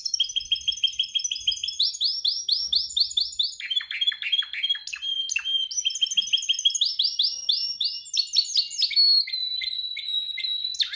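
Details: Canary singing during training to perfect its song: long varied performance of rapid trills, runs of repeated rising whistled notes, buzzy rolls and held high tones, changing phrase every few seconds without pause.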